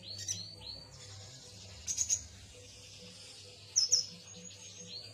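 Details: Yuhina giving short clusters of sharp, high-pitched chirps at roughly two-second intervals, above a thin sustained high hiss and a steady low background hum.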